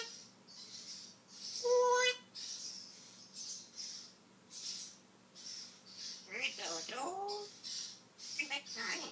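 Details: Indoor pet African grey known for mimicking words. A short steady whistle is followed later by a speech-like phrase of gliding, harmonic syllables. Repeated soft high hissing bursts sound in the background.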